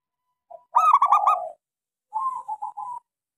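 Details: Local zebra dove cooing, used as a lure to get silent doves singing: a short lead note, then a rolling run of quick soft coos and a drawn-out tone, followed by a quieter trilled phrase.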